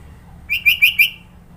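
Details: One short phrase from a sooty-headed bulbul in Sidoarjo, East Java, whose song has many fill notes: four rapid, liquid whistled notes delivered in about half a second.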